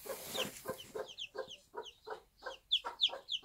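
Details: Backyard recording from a small farm of a Bantam hen with chicks one day old. Soft, repeated clucks from the mother run about three per second. The newborn chicks answer with sharp, high, downward-slurred peeps, which are loudest near the close.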